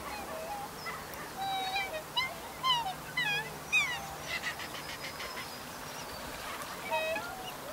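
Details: Black swans in a wetland, a group watching two others fight, give a run of high, bugling whistled notes, several rising sharply, overlapping from more than one bird, with a brief buzzy rasp and faint low hum.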